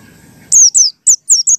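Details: Pleci, a white-eye, in ngalas song meant to lure other white-eyes into singing: five loud, high, descending whistled slurs in quick succession after a faint low rumble.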